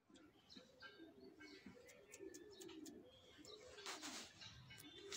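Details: Fancy pigeons, called kobutor in Bengali, give low, soft, droning coos in repeated phrases. Scattered clicks, rustles and brief higher chirps sound in the background.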